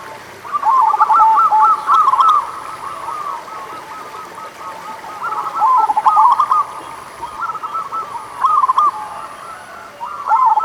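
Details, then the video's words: Local zebra dove song, played as a lure to get doves that are slow to sing started: bursts of quick, bubbly cooing notes at a middle pitch, each burst lasting about a second, separated by pauses, over a steady hiss. "Pancingan Suara Burung Perkutut Lokal"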